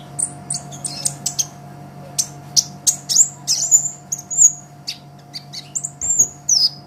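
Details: Olive-backed sunbird singing, recorded as a master for training songbirds: bursts of high ticking chirps followed by longer drawn whistled notes with slight downward slurs, over a faint steady hum.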